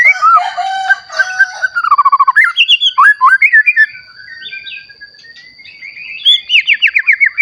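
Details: Recently matured white-rumped shama singing to provoke other shamas; harsh rasping opening notes, rapid trills, then a long rising whistle and fast repeated notes, over a steady high hum.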